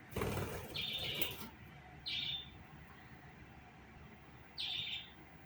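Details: A loud, rough, rushing noise opens, then a budgerigar gives three brief buzzy chirps at a fixed high pitch, the last after a long pause, against a low background rumble.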